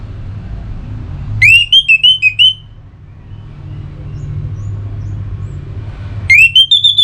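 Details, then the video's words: Orange-headed thrush from North Bali in breeding condition, singing to challenge a rival. A rapid series of five or six bright, clear whistled notes rises and dips, and a second phrase starts about five seconds later. A low background drone continues throughout. "ANIS MERAH Gacor Pancingan Birahi & EMosi Burung || Kicau memanggil lawan"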